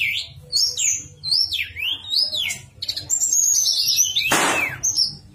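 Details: Javan sunbird in a flute-like nyuling master song meant to prompt other sunbirds to sing. Clear whistles arch up and down, followed by a long high twitter and one brief broadband rustle.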